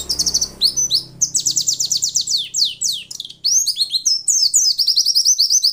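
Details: White-eye, described as a female, calling to provoke males into singing as in the wild: dense, very high, rapid chirps and twittering slurred notes in quick bursts, with brief gaps, no other sounds.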